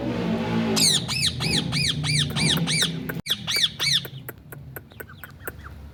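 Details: Rose-ringed parakeet, a ringneck parrot, giving harsh arched squawks with strong harmonics, about ten in rapid succession over two and a half seconds, then fainter scattered calls and clicks over a low background rumble.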